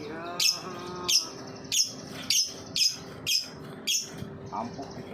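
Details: Lovebird giving its ngetik song, a lure meant to stimulate other lovebirds to sing: sharp, high clicking ticks repeated roughly every two thirds of a second, seven in a row, over a faint steady indoor hum.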